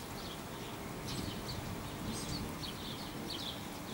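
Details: A juvenile Eurasian blackbird gives thin, high chirps in short bursts, about six over four seconds, above a steady low rumble; recorded 22 July 2015.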